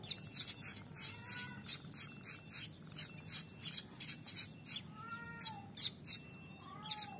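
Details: Young prinia pair, newly active, calling with sharp high chirps in a fast, even series. Later a few lower whistled slurs are mixed in among the chirps.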